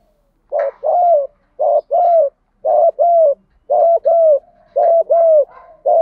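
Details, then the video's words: Fighting coo of spotted doves, male and female, played to lure wild birds: a brisk, even series of two-part hollow coos, each pair about a second apart. "Tiếng chim cu gáy GÙ Đấu cực chuẩn để kích bổi mới"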